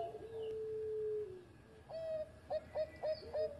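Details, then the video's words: Engkel-style song of a former contest champion zebra dove: a long steady low coo slides downward, then a pause and a quick run of short clipped coos. "Mantan Juara Suara Engkel Sari Cengkok Irama Merdu"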